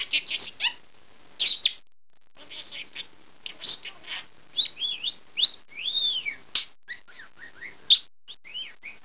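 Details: Aussie, a male pet budgerigar known for talking, chatters in quick bursts of high, scratchy chirps, clicks and looping whistles.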